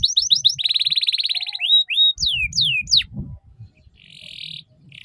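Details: Ngeriwik-style canary song played as a lure for young canaries to learn: quick pulsed notes, then a long dense rattle, followed by swooping downward whistles and a short buzzy burst.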